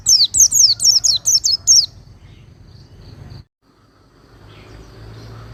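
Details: Oriental white-eye training song for cage birds: a brief two-second flurry of eight high, falling, whistled notes, followed by soft background noise and a short silence.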